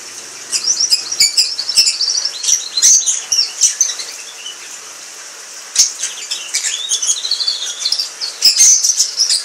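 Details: An Orange Frost canary, one of a pair, sings a long, high, rapid series of rolling trills and sweet chirping notes, with brief pauses and quick changes in pitch.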